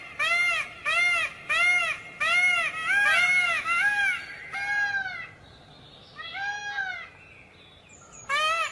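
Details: A peafowl repeats a loud, nasal, arched call about once a second, then gives longer overlapping wails. Quieter calls follow after a pause, and one more loud call ends it.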